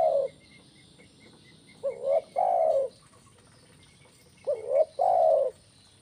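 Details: Spotted dove (tekukur) call played to lure birds: low, mellow cooing phrases, each a short rising note followed by a longer drawn-out coo, two phrases a few seconds apart, with faint high twittering behind.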